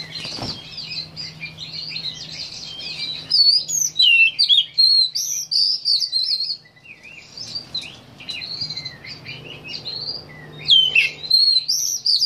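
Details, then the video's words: Oriental magpie-robin singing, recorded May 2015: a rich, varied run of sweet whistles, slurred upward and downward notes and quick chirps, delivered in bursts with short pauses, over a steady low hum. "Magpie robin singing"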